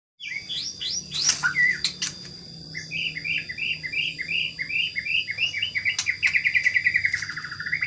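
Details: White-rumped shama of the Medan type singing energetically while let out to roam free: sharp whistles and clicks open, then a fast run of rising chirped notes about two per second, ending in a sliding trill.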